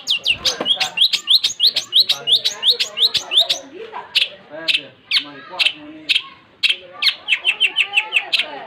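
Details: Long-tailed shrike singing energetically in rapid chirping runs, almost three notes a second, mixing sharp ticks with short buzzy phrases, over faint low voices.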